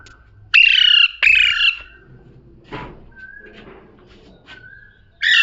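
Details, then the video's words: Talking parrot; two loud harsh squawks, a short burst, then quiet with soft whistles and a final loud squawk. "Parrot #talking"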